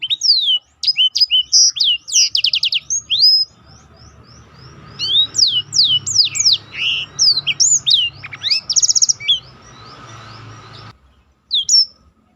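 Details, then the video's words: Black-throated canary in special roll song, made as a tutor recording for contest birds: rapid high trills and sweeping whistles, then varied chattering notes over a faint low hum, a pause, and a final short phrase. "biar kecil suaranya mahal roll istimewah"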